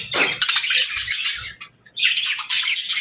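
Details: Pet budgies chattering in rapid, scratchy high warbles and chirps, with a brief near-silent pause just before two seconds, then the busy chatter resumes.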